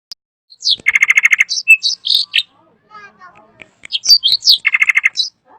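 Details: Drongo (srigunting) giving loud, varied song: rapid rattling bursts of repeated notes, sharp upslurred chips and whistled phrases, with pauses between; faint quiet notes in the gap.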